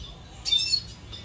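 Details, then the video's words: Red siskin kept as a pet, recorded in 2022: one short burst of high, bright twittering notes lasting about a third of a second, set against a low steady background hum. "my red siskin"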